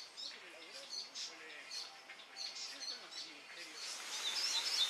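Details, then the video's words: Hooded Siskin (Spinus m. magellanicus) at Costanera Sur, Argentina, in February 2022, sings a fast, high twittering song of thin chirps and buzzy notes, about four bursts a second, over hiss and faint low voices. "Tarin de Magellan (Spinus m. magellanicus) Hooded Siskin"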